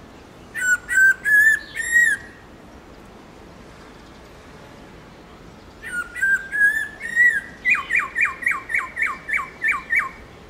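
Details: Black-throated laughingthrush singing a wild-type "forest voice" song used to train captive birds: loud, clear whistled phrases, then a rapid run of repeated notes.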